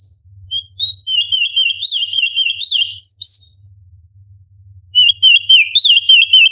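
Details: Orange-bellied leafbird (cucak cungkok), a competition tutor bird, singing sharp 'tembakan' bursts: warbling whistled phrases wavering up and down, a pause, a brief high squeaky flourish, then the warbling resumes after a quiet gap.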